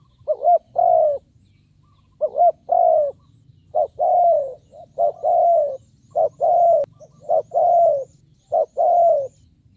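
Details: Spotted dove used as a decoy to draw in wild birds, cooing repeatedly in two-part phrases of a quick note and a drawn-out falling coo, about seven phrases in ten seconds, low hum behind.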